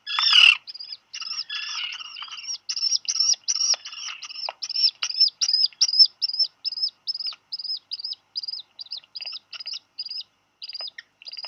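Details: A pair of Black Guillemot chicks at a Seal Island, Maine nest in early July, one dropping its fish; a hoarse burst gives way to a long series of thin high peeps, roughly two to three per second, slowing toward the end.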